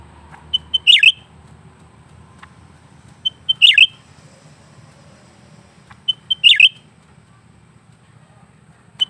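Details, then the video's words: Caged lesser green leafbird singing continuously: loud high whistled phrases, each a short note followed by a sharp descending burst, repeated about every three seconds over a low steady hum. "burung cucak ranting gacor terus menerus"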